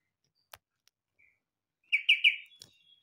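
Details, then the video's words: Yellow-vented bulbul song said to resemble a green leafbird's: a quick burst of three bubbly, warbled notes after scattered faint clicks and taps, ending in a thin trailing note. "Suara burung trucukan mirip cucak Ijo...!!!???"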